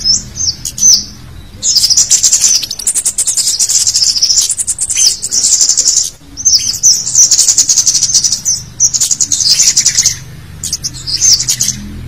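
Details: A busy chorus of thin, very high 'cit' calls from scaly-breasted munias, a lure recording, chattering in dense bursts that pause briefly every few seconds.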